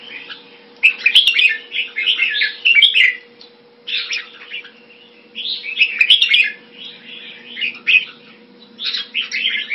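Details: Red-whiskered bulbul kept caged Thai style in Singapore, 2018, singing repeated phrases of rapid, chirpy warbling, each lasting about two seconds, separated by short pauses. Clicks and a steady hum sound in the background.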